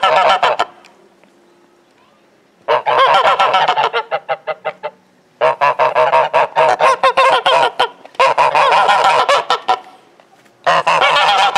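Geese honk loudly in rapid, overlapping bursts, several birds calling together in long noisy runs with brief pauses between.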